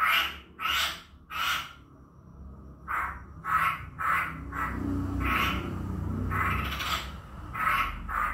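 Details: Chinese hwamei lure recording for provoking a reluctant bird into singing: loud, harsh, broadband bursts repeated about every half second, each rasping note with a faint tonal core, with a low hum and a quieter pause between runs.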